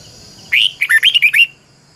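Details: Red-whiskered bulbul singing as a decoy to coach other birds: one loud, bright phrase of about six rapid rolling, bubbly whistled notes, clear and close, over a faint low hum.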